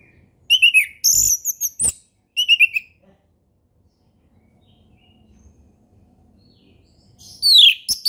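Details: Orange-headed thrush delivering relaxed ngeplong song meant to teach young birds: several quick high whistled phrases with sharp clicks, a long silent gap, then another descending whistled burst near the end.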